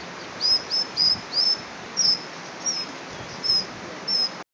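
A Brown dipper gives sharp, high, buzzy 'dzit' notes, about eight in four seconds at an uneven pace, over a steady rush of flowing water.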